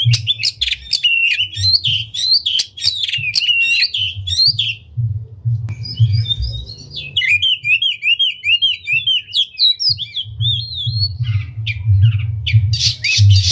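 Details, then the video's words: Oriental magpie-robin with its tail open, its song meant to stir other magpie-robins into singing: fast repeated sharp notes, a brief lull, then looping whistled phrases and chatter, with a constant low droning background. "Pancingan Kacer Gacor Buka Ekor Lagu Unik! Bagus Buat Menaikan Emosi Kacer Lain Agar Gacor"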